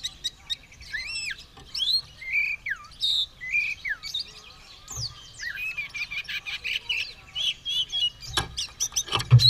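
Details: White-rumped shama (kacer) ready to fight, tail spread, pouring out a lively song of looping whistles, falling slurs and rapid chirps in irregular bursts, with a few low knocks toward the end.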